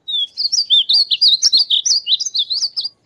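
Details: Male painted bunting song: a bright, rapid warble of high, sweet, slurred notes tumbling up and down for about three seconds without a pause.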